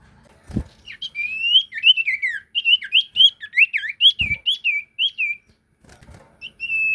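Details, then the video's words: Energetic sirtu song meant as a lure: a fast, unbroken string of sweet whistled slurs, each note bending up or down, interrupted by a few dull knocks, ending in a steady whistle. "Burung sirtu gacor pancingan"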